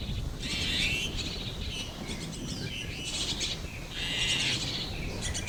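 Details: Chestnut-tailed starling chicks in a tree hollow, raised by their parents: harsh, hissing, broadband rasps in drawn-out bursts, repeated several times over a steady low rumble of background noise.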